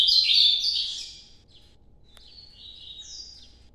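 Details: Ultramarine grosbeak (Cyanoloxia brissonii), song.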